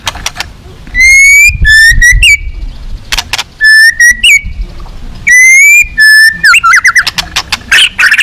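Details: White-rumped shama at a bird song contest, repeating loud, clear whistled phrases of steady and slurred notes in three bursts separated by short gaps, ending in rapid chattering notes and clicks.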